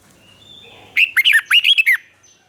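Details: Red-whiskered bulbul song recorded in Thailand, a southern master phrase played to make caged birds eager and to train chicks: one burst of rapid, rolling, bubbly notes after a quiet start.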